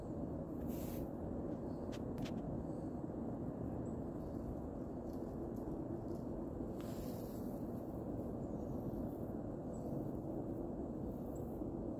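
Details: A steady low rumble like distant traffic or wind fills the recording, broken only by a few faint clicks and taps, with no clear animal calls.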